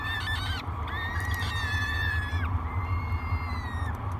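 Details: Feeding time for three hungry peregrine falcon chicks, Great Spirit Bluff nest camera, 24 May 2022: loud harmonic begging wails, flat then dipping at the end, given in a run and followed by a longer, even cry, over a steady low hum.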